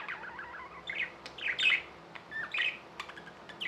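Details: Tamed budgerigars chirping softly in short warbled phrases and single notes, separated by brief gaps, with clicks and a low hum in the background.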